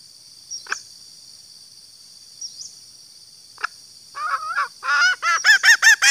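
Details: Female green junglefowl (Gallus varius) call used to lure males: after a few faint clicks, a rapid run of loud, nasal, arched notes builds up and speeds up, with a constant shrill insect hum behind.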